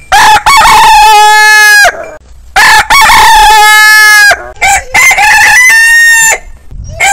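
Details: Roosters crowing, taken from a compilation of heritage chicken breeds: long, loud, harmonic crows of about one and a half seconds each, several following closely and overlapping, one noticeably higher-pitched, with brief clucks between them.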